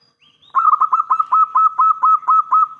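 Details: Local Zebra Dove, a strong-voiced bird in full voice, cooing as a lure to draw answers from other doves: a rapid run of about ten clipped, bubbling coos on one steady pitch, ending with a drawn-out tone. No other sounds.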